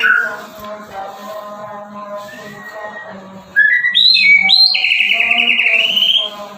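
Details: White-rumped shama song beginning quietly over a low steady hum, then a loud burst of bright rising whistles ending in a long, buzzy held note.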